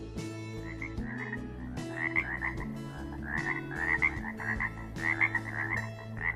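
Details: Copying other species, including a Pacific tree frog, a male catbird gives raspy, croaking phrases in short bursts about once a second, rising and falling, set against steady background music; such mimicry may show females he has lived through many breeding seasons.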